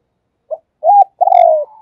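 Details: Spotted dove kept as a decoy bird and calling. A soft short note and a rounded coo lead into a long, quivering, slightly falling coo. It is clear and close, with a silent background.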